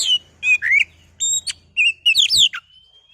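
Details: Kacer, the oriental magpie-robin, in a lure recording meant to agitate another bird into song: rapid, varied whistled phrases with slurred, rising and falling notes and short chirps, ending in a thin, level whistle.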